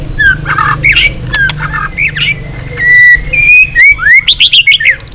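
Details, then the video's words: White-rumped shama song trained as a long, varied phrase to provoke other shamas: loud whistled notes, clicks and buzzy chatter, a sustained flat whistle then rising slurred whistles and rapid upward sweeps near the end. "Luyện giọng dây dài cho lửa.chòe lửa đập tạch kéo dây hay. ép giọng kích lửa hiệu quả.tạch đánh đuôi"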